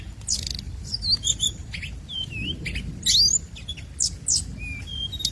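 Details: High clear whistles from a scarlet minivet used as a lure. Short upslurred and downslurred notes come with quick chips, several each second, above a soft low hum.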